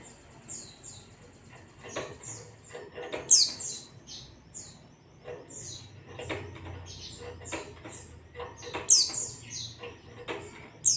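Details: Pleci, the Indonesian name for the white-eye, delivering its ngalas song: long chains of high, sharp downward-sliding whistles, occasionally broken by louder ringing notes, over light clicking background noise.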